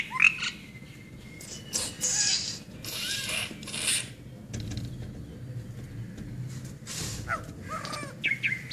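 Brahminy starling giving a varied run of harsh, grating chatters mixed with short whistled and squeaky notes, in irregular bursts over a low rural background hum.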